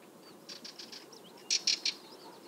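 Sardinian warbler giving its dry, scolding alarm: a soft run of four ticking notes, then three loud, harsh rattled bursts in quick succession.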